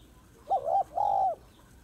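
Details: Female spotted dove calling to excite males: one loud two-part phrase, a short wavering coo followed after a brief pause by a longer, steady, gently falling coo.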